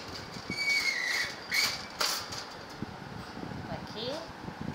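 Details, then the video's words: Talking myna in Dhaka, Bangladesh, gives shrill whistled squeals and sliding, speech-like notes in quick bursts during heavy rain, its steady hiss behind. "Talking mynah birds"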